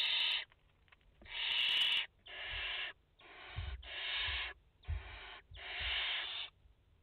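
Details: Barn owl family at the nest, mother with four chicks, France, 30/08/2021: a run of seven rasping hisses, some long, some clipped, overlapping callers, faint bumps and scraping from the nest.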